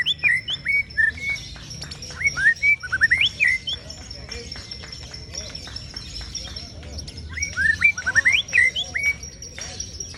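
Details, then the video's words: White-rumped shama in ciung wanara song: two bouts of quick, varied whistled and chirping phrases with sharp clicks, a quiet gap between them, and faint background noise. "ocehan CIUNG WANARA murai batu anti galau😂"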